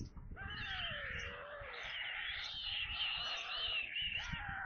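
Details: White stork nest in Kaluga region, Russia, during feeding at 17:52 on 22 July 2022. One long, falling whine is followed by an unbroken, higher, quavering chorus of wheezy calls, with soft low rumbling beneath.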